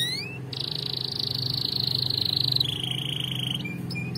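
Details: Canary song for song training, holding a long, even, buzzy high trill that drops slightly in pitch midway, over a steady low hum.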